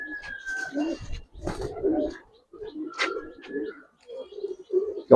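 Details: Low coos from silver Budapest highflyer pigeons in a loft, mixed with clattering knocks and rustling, quiet pauses between phrases and a sharp thump at the end.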